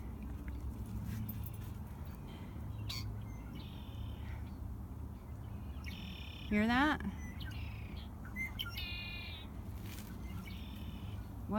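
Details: Several red-winged blackbirds sing territorial buzzy, trilled phrases in late winter before spring, guarding territory against rival red-winged blackbirds and watching a person with a puppy; low rumble beneath, one brief loud rising voice-like sound midway.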